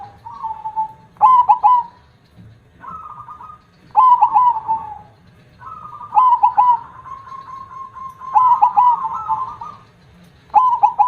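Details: Zebra dove in active big-voiced 'kong' song: repeated phrases of three strong clipped coos, each trailing into a long purring note, roughly every two to three seconds. Other doves coo more faintly in between.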